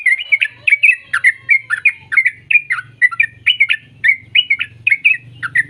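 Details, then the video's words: Sooty-headed bulbul song played to train young birds to sing: short bubbly chirped phrases around mid-high pitch, repeated rapidly about three per second in a steady stream, with faint low hum beneath. "Putarkan Suara Trucuk Ini Biar Trucuk Bahan Cepat Bunyi"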